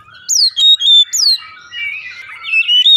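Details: Oriental magpie-robin song used as a lure to get another bird singing: loud, clear, falling whistles and sweeping slurred notes in quick bursts, then a run of varied chattering phrases at high pitch.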